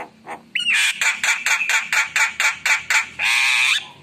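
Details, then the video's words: Emotional, spontaneous Javan myna in full gacor song with rich fill-ins: a sharp whistled upslur opens a string of about nine loud, buzzy, grating bursts, ending in a long harsh wavering note. "Spontan Emosi Suara Jalak Kebo Gacor Penuh Isian Mewah"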